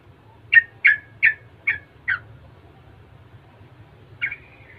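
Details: Chatty Yellow-vented bulbul whose song is used to provoke others of its kind to answer: five strong, short descending chirps at about two per second, then a pause and a longer slurred whistle.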